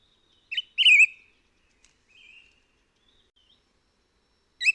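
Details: Endemic to Taiwan and recorded on Hehuanshan, a white-whiskered laughingthrush gives a short note and a loud, wavering whistle. Faint softer notes follow, and the call starts again at the end.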